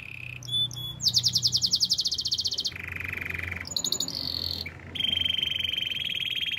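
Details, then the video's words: Canary song for training young birds: a short mid trill, a loud fast high rattle, a lower buzzy rolling tour, a brief high whistle, then a long steady mid-pitched roll, faint hum in the background. "Russian canary singing! The best canary training"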